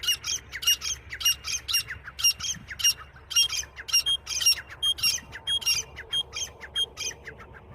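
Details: Francolin (titar) calling, linked to hunting: a fast run of harsh, squawking notes, roughly one to two per second and irregularly spaced, over a steady low hum.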